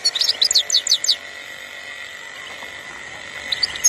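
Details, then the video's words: European goldfinch from Algeria, 2021, giving a quick run of sharp, high twittered notes in the first second, then a pause over a steady background hum before a couple of final chirps. "اسمع لخلوي"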